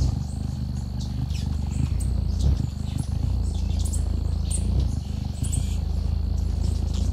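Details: A hummingbird at a feeder, recorded from directly below, hovers close: its wings make a deep, steady hum that swells and fades, with faint high chirps now and then.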